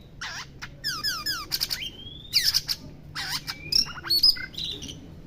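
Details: Oriental magpie-robin singing while bathing: a varied burst of loud, sharp notes, rapid descending slurred phrases, long rising whistles and bright chips in quick succession, with faint low background hum.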